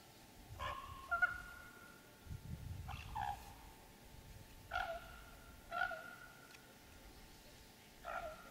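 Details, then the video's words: Common raven giving a series of vocal calls: five short, hoarse, tonal calls spaced about one to two seconds apart, each a brief burst with a ringing upper note, over quiet low rumbling background. "Raven's various vocal calls"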